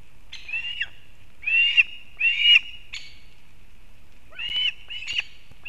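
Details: Osprey at a nest in Kurzeme, Latvia, 31 August 2024, as the female arrives with fish for the chick, recorded by a live nest camera. Scattered whistled notes in two bursts, some short and clipped, separated by a quiet pause.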